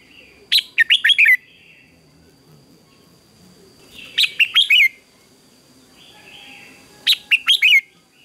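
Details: Red-whiskered bulbul in a morning singing contest repeating a short phrase of rapid, rising and falling whistled notes three times, about three seconds apart, with faint background chirps and a thin constant tone.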